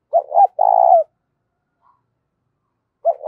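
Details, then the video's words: Clear, loud spotted dove coo meant to stir up decoy birds: two short hoots and a long buzzy purr, a pause of about two seconds, then the next phrase starts. "tiếng cu gáy kích bổi mỗi ngày giọng to rõ ít tạp âm"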